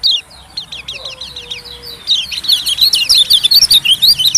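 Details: White-eye lure for catching small birds: high sweeping chirps run nearly nonstop, thickening into busy overlapping twitters, with a faint low drawn-out tone early on.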